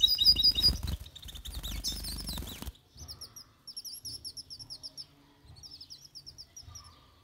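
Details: Caged mule goldfinch paired with a female goldfinch during mating, a loud burst of bright twittering and rustle followed by high, sweet chirped phrases repeated in quick bursts between soft low thumps.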